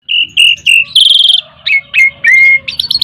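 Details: Ten-year-old Asian pied starling, over ten years and still singing steadily in the lively 'gacor mompa' style: clear whistled notes near the same pitch, a buzzy rattling phrase, then slurred downward whistles and quick high chips, loud and close.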